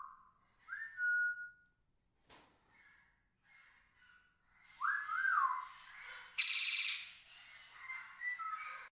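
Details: Captive pet budgerigars chirping: short whistled notes that rise and fall, a burst of buzzy chatter in the middle, and scattered soft clicks in a quiet room.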